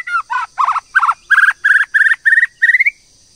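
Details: White-rumped shama female used to excite a male into singing: about eight rough, nasal notes in quick succession, gradually rising in pitch toward the end.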